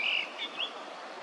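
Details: Brief fragment of yellow-billed grosbeak song from Korea, early May 2024: a loud held whistle followed by two quick upslurred notes over steady background hiss.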